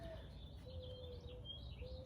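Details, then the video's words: Soft, low, drawn-out hooting coos of a mourning dove in the distance, with faint higher chirps from other birds over steady outdoor background noise. "I like hearing the calls of the mourning doves"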